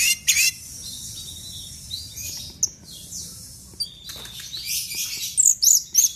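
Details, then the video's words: An orange-headed thrush, a loud-voiced bird, sings a quick, varied run of high, sharp chirps and squeaky phrases in uneven bursts with short gaps between them. The recording is meant as a lure to make other thrushes sing. "Anis Merah Gacor nyape Telerrr"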